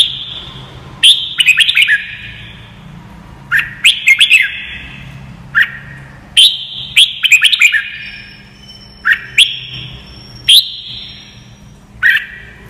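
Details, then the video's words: Training song of a Red-whiskered bulbul for teaching other birds: repeated bright whistled phrases of sweeping chirps, bursts about every one to two seconds, each ending in a drawn-out ringing note, with a faint steady tone at times. "CHÀO MÀO | Luyện giọng chim hót cực hay"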